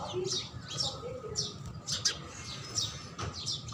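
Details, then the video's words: House sparrow chirping: short, high, downward-slanting chirps scattered irregularly over several seconds, with a steady low hum and faint rumble underneath. "HOUSE SPARROW Food(Sparrow Sound)"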